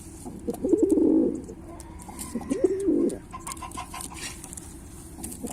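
A Pilkha pigeon gives two low, rolling coos about two seconds apart, each a throaty, wavering burst. Faint clicks and a quiet room hum sit behind them.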